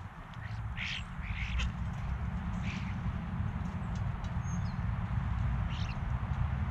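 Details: A group of European starlings on a backyard bird feeder, GoPro recording: scattered rough, wheezy calls in short bursts with a brief high whistle, over a heavy low hum.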